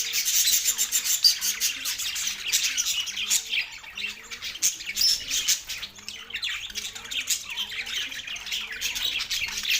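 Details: Two male budgerigars kept as pets warble continuously, a dense hiss-like jumble of shrill chirps and grating notes with faint low curved tones underneath.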